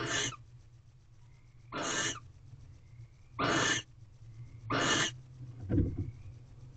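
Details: Wild barn owls, a male and female, in a nest box on 19 February at 10:28 pm during mating. Four harsh, hissing screeches about every 1.5 seconds, then a shorter rasp.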